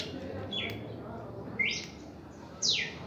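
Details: Red-crested cardinal in reaction song: three loud, clipped sweeping notes about one second apart, the first a level whistle, the later ones sliding steeply, over a low background hum.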